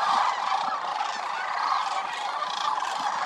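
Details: Short burst of a massive sandhill crane chorus at Willcox Playa Wildlife Area in winter, among more than 20,000 migratory birds; many rolling, rattling calls blend into one continuous roar.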